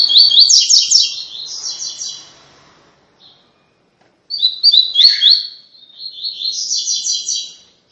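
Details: A double-collared seedeater gives its "tui tui" song, used for training other seedeaters: two bright, fast phrases of high twittering notes running into buzzy trills, separated by a short pause.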